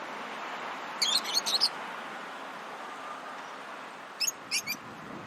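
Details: Lovebirds chirping when playing, eating or excited: a quick cluster of five sharp, high chirps, a gap of about two and a half seconds, then three more, over constant hiss.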